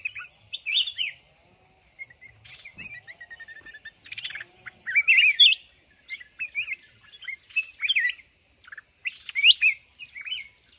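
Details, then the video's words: Mountain red-whiskered bulbul fighting a month-caged decoy in a trap. Repeated lively phrases of rich slurred whistles, with a quick rattle of clicks near the start and brief fluttering sounds between phrases. "Chào mào núi bẫy đấu"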